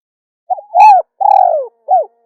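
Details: Cooing of a female spotted dove: a soft introductory note, a louder rounded coo, a long slightly descending hoot, then a short clipped closing coo. A clean recording with no background noise.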